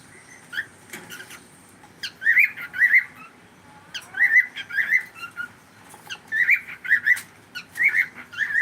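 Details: Cockatiel kept as a pet repeating short whistled chirps in clusters of two or three, roughly every half second, with brief pauses between clusters, indoors with a faint hum.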